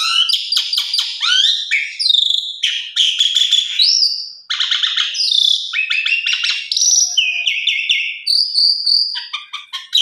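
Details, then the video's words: Asian pied starling in full varied song, played as a lure to set other starlings singing: a fast, rich stream of whistles, rising slurs, crackling buzzy notes and chattered phrases, nearly continuous and without pauses. "coba putar 1 x pancing jalak suren dijamin gacor full isian suara mewah"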